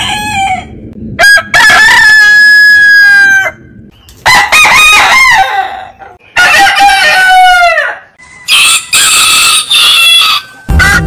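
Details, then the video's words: Several roosters of heritage chicken breeds crowing in turn; loud harmonic crows each ending in a falling tail, overlapping calls and a harsher burst near the end. "Biggest Rooster Sound Alarm - Long Roosters Crowning Suara Ayam Berkokok Panjang"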